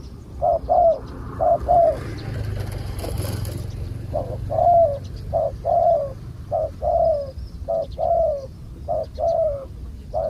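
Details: Wild spotted dove with a big cooing voice, heard during decoy-luring. Deep, hollow paired coos repeat steadily about once a second. A brief rustling noise burst interrupts them early before the cooing resumes against low background rumble.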